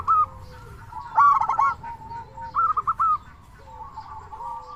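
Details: Zebra doves serving as a lure to start others calling: one loud burst of rapid rolling coos, then a shorter series, with soft background cooing throughout.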